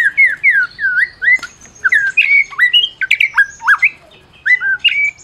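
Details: White-rumped shama of Medan stock, a champion whose song provokes silent shamas: a row of looping whistles, then sharp clicks and varied stepped whistles, chattering notes and short rising phrases.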